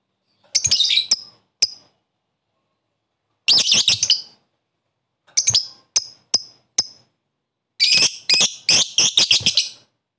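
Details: Lovebird, 'koek' caller, calling a rival to excite other lovebirds; shrill, rasping chirps come in clustered bursts separated by pauses, with a final dense flurry of rapid squeaky notes.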